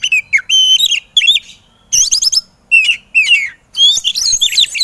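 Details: Energetic 'emosi' song of an Oriental magpie-robin (kacer), recorded for training reluctant birds: loud clipped whistles and sweeping slurred notes in tight clusters, broken by short silences, ending in a dense chattering rush.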